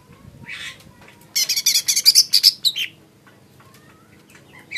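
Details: Lesser green leafbird producing a fast, harsh, buzzy rattle of high notes lasting about a second and a half, with softer scattered chirps before and after.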